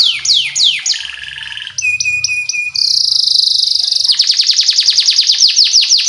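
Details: Canary training song for young birds. It opens with falling sweeps, moves to clipped notes over a steady tone, then a high sustained whistle. It ends in a quick, even run of repeated downslurred notes.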